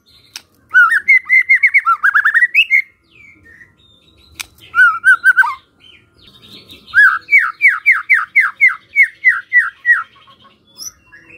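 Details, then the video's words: Lure song of a White-rumped shama, meant to make other shamas reply. Three phrases: a tumble of rising whistles, a brief burst, then a string of loud descending slurred notes. "pancingan murai batu ini bikin GAMPANG NYAUT murai lainnya"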